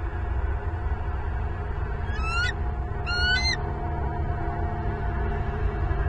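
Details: Bald eagles at a nest in Southwest Florida, filmed by nest camera at 07:07 on 25 November 2022, give a pair of thin, rising, stuttering piping calls about a second apart amid low droning noise.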